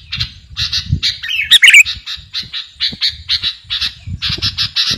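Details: Lively 'garuda' sooty-headed bulbul song for training or luring birds: repeated chirpy bursts at a quick, uneven pace, one loud rasping outburst near the middle, with low background rumble.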